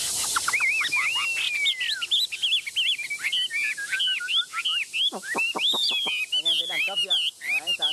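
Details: A tame, selected Chinese hwamei shown singing. Loud, varied whistled song of clear slurred notes, upward and downward sweeps, and long gliding whistles, moving into fast runs of sharp repeated notes toward the end.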